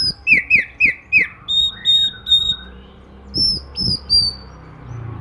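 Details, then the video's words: Morning singing of an oriental magpie-robin, said to encourage other magpie-robins to sing; a quick series of four downslurred notes, then level high whistles and further bright slurred phrases. "kicau kacer dipagi hari mampu merangsang kacer lain ikut bunyi"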